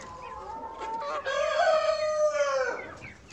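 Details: Australorp rooster on a farm crowing: a short opening note, then a long, loud, steady drawn-out cry that drops off at the end, with faint clucks from other hens in the background.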